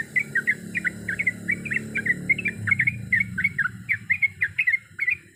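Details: Rapid, drawn-out 'ropel panjang' song of a sooty-headed bulbul, full of mixed notes: quick liquid phrases repeated steadily over a low rumbling background and a faint high hiss.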